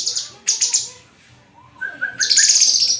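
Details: White-rumped shama with choppy high chatter, a quiet gap, a few level whistled notes, then a loud rolling trill to the end.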